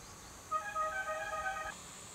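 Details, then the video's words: Spangled Drongo (Dicrurus bracteatus) in Cotigao Sanctuary, Goa, India, December 2000, gives a single nasal, twangy call of about a second, rich and slightly wavering in pitch, over a faint steady hiss. "Spangled Drongo"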